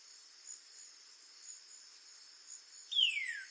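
A Northern cardinal gives one loud, clear whistle that slides steeply downward near the end, over a steady high shimmer of crickets.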